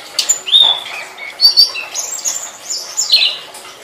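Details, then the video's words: Tledekan song for training songbirds: scattered high whistles, some sliding and some level, broken by short chattering notes, at a moderate volume over soft background hiss. "Suara Burung Tledekan"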